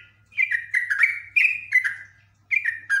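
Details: Highly agitated Yellow-vented bulbul, a caged bird, in long, continuous chattering song: bubbling, slurred whistled phrases in quick bursts with short pauses, over a faint low hum.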